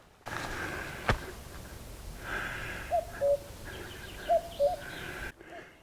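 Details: On a hill walk beside forest on the Mullaghaneany Horseshoe in the Sperrins, Northern Ireland, a distant common cuckoo gives its falling two-note 'cu-coo' twice, about a second and a half apart, over steady wind noise.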